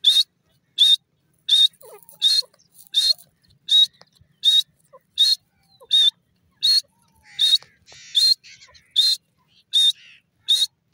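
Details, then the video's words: Teetar, the grey francolin, giving a long run of loud, piercing notes at an even pace of roughly one every 0.7 seconds, with faint chirping from other birds behind. "teetar ki awaz,teetar awaz,teetar sound ,teetar voice"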